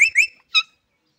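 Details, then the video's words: Green parrot giving two shrill, slightly rising whistled squawks in quick succession, followed by a shorter, clipped harsh note; clean recording with no other sounds. "seti bagani wala tota | green parrot sound"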